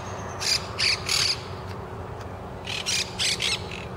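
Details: Monk parakeets in Winter Haven, Florida, repairing a nest blown down in a November storm, give harsh, grating squawks in two quick bursts of three to four notes over a steady low background hum.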